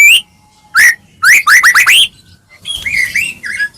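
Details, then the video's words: White-rumped shama singing to provoke other shamas: separate sharply rising whistled notes, then a quick cluster of four upswept notes, followed by softer warbled phrases. "murai batu gacor AMPUH buat PANCINGAN murai batu agar bunyi"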